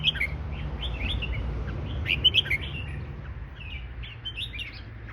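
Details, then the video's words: Red-whiskered bulbul giving fancy-style song: a run of rapid, chirpy whistled notes rising and falling, somewhat softer, over a persistent low-pitched hum. "เสียงนกกรงหัวจุก เสียงนกกรงหัวจุกแฟนซี"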